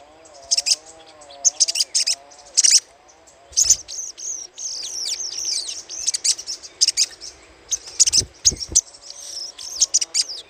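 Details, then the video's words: Little spiderhunter chattering, used as a lure. Dense runs of high, scratchy chips and short down-slurred notes come in rapid clusters almost without pause. A faint low wavering hum sits in the background. "PANCINGAN SUARA CRECETAN SOGOK ONTONG"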